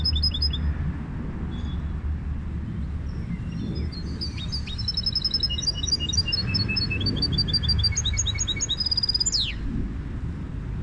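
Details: Goldfinch hybrid singing a long, varied song of high, clear whistled notes and trills, many repeated in quick runs, ending in a sharp descending sweep, over a steady low background hum.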